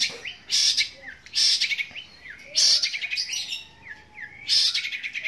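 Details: Long-tailed shrike, locally called cendet, singing an imitation of fighting sparrows; bursts of harsh, high chattering alternate with short rising and falling whistled slurs, repeated every second or so, with a faint lower whistled line.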